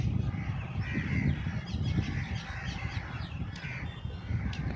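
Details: A rosy starling murmuration at Bhuj, Kutch: a dense chatter of overlapping harsh, squeaky and whistled notes from a large flock, over a strong low rumble like wind or wingbeats.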